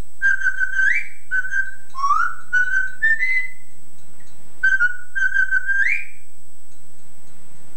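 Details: Male Yellow-naped Amazon parrot kept at home, mimicking a woman's singing voice on a converted old tape: a melodic series of sustained sung notes, several sliding upward at their ends, a short gap, then the phrase resumes.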